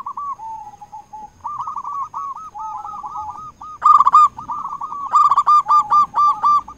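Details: A local zebra dove in strong voice, used as a lure to rouse quiet doves into singing. Runs of rapid, rolling coos build into a sequence of loud, abrupt, evenly spaced notes.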